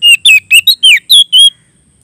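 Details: Oriental magpie-robin in full, clear song, calling out to a rival. Seven quick, sharp whistled notes are delivered in steady succession, some rising and some dropping in a twisting slur, then the singing stops abruptly.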